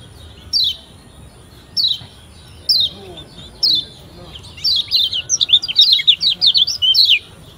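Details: Lombok kecial kuning, a yellow white-eye, in a pancingan lure recording for training young birds to sing: four evenly spaced sharp descending chips, then a fast, jumbled run of high twittering notes.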